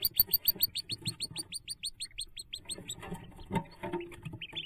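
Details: Hooded merganser ducklings jumping from the nest, 5 May 2024: rapid run of high, downward-slurred peeps about three per second, easing after two seconds into softer scattered peeps with low rustling thumps.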